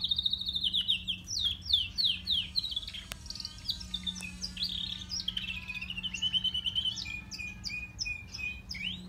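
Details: Grey and crested canaries sing a long, rapid, varied song of high trills, sweeping whistles and repeated chirps, with a steady low hum underneath.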